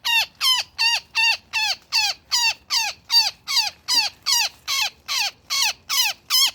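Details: Distress calls from a woodpecker trapped in a net: loud, raspy, downward-bending squawks delivered steadily about two and a half times per second against a quiet background.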